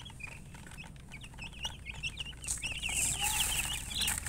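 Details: Chicks peeping in quick succession, rapid falling notes about three per second, while a loud hissing rustle rises and covers much of the second half.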